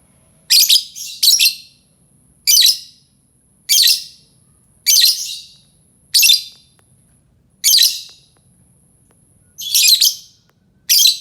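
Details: Lovebird call for luring other lovebirds: a long run of harsh, piercing shrieks, some in quick pairs, spaced about a second or more apart across eleven seconds, over a thin continuous high whine.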